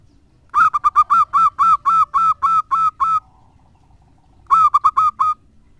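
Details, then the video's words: Zebra dove, a local bird kept as a lure, in full song: stuttering short notes lead into a steady series of ten rounded, fluted coos, then after a gap another quick cluster of clipped notes and a drawn-out coo. "Perkutut lokal gacor suaranya mantap abis buat pancingan."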